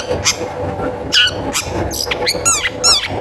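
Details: Lively long-tailed shrike song used as a lure to get other shrikes singing: harsh rasping bursts alternate with quick falling whistles and buzzy, stacked notes toward the end, over a faint constant murmur.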